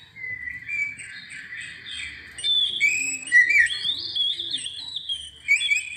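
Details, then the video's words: Oriental magpie-robin song used to trigger singing in other birds, with soft warbling at first that builds into bright, varied whistles and high-pitched chirps. "PANCINGAN SUARA BURUNG KACER"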